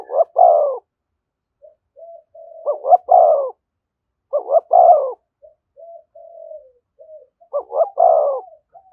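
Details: Spotted dove thúc gù calling close to a decoy bird, four loud phrases of clipped double notes and a long resonant coo, interspersed with quieter low cooing murmurs.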